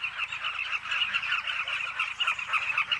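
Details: Short burst of Carmine bee-eater colony noise at a nesting cliff, with throaty rolling calls from many birds piling over one another in a rapid, uneven stream.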